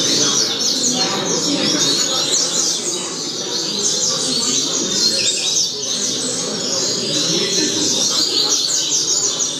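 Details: Teaching song of a double-collared seedeater for young birds: a continuous stream of high, rapid chirps and trills over steady noise.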